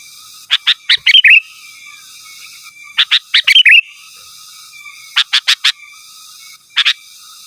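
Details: Sooty-headed bulbul in energetic song calling to rivals, a pure recording without other birds' phrases mixed in; clusters of short sharp notes ending in bubbly whistled flourishes, repeated about every two seconds over a steady high background hum.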